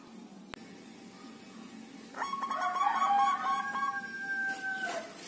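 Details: Local zebra dove singing after five days in a group cage: a rapid series of soft cooing notes, quickly repeated, ending in a longer drawn note, over steady background hum.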